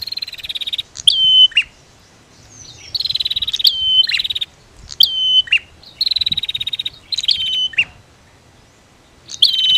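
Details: Prinia female and male, used to make silent birds sing: long rapid rattling trills ending in sharp high chirps and falling whistles, repeated in phrases with short silent breaks between them.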